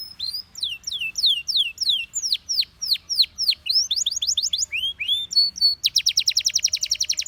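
A Belgian canary sings a rapid run of high, clear downward-swooping notes, about four a second, then rising phrases and a fast buzzy trill.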